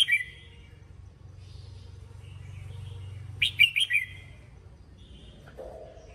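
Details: Red-whiskered bulbul training song with a soft whistle at the start, then a lively burst of four or five sweet chirped whistles in under a second, and a faint low hum throughout.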